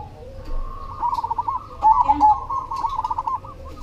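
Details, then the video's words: Cemani zebra dove in song: a short loud cluster of quick stuttered coo notes in the middle, surrounded by continuous softer rolling cooing from other doves and a low background hum. "SUARA PERKUTUT CEMANI GACOR"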